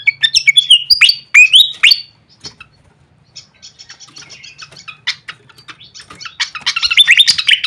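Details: Fantail; lure call; attracting birds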